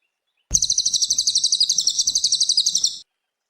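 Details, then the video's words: Vigorous cililin songbird song for tutoring young cage birds: one sustained, shrill, fast-pulsed trill of about two and a half seconds, beaded with evenly spaced notes and ending abruptly. "Masteran kicau burung cililin gacor"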